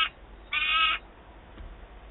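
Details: Peregrine falcon at a nest site in Wałbrzych, Poland, 27 August 2022, a well-fed young bird screaming while an adult arrives with prey; a short harsh call, then a half-second loud rasping, harmonic-rich scream.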